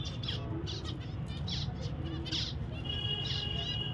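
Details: Pet zebra finch calls: loud short nasal beeps in quick bursts, with a sustained thin tone near the end, over constant low-pitched background hum.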